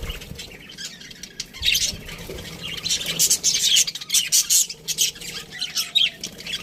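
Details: Budgerigars in an aviary chirp and chatter together, giving dense bursts of high, scratchy warbling and squawky notes that overlap without pause, with brief louder flurries in the middle.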